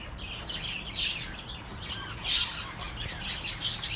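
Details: Pet birds calling, offered as relaxing sound for lonely birds: harsh, grating squawks mixed with high chirps, loudest bursts around two and a half and three and a half seconds.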